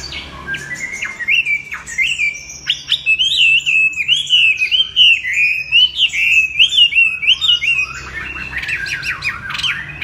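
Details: Loud chattering melody from a Chinese hwamei: a long chain of slurred, wavering whistles rising and falling in quick succession, ending in a burst of rapid harsh notes.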